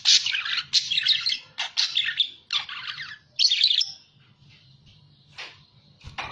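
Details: A budgerigar in a lure/training recording chatters in rapid bursts of scratchy, warbling notes with high squeaky clicks. Each burst lasts about a second with brief pauses, over a faint low hum.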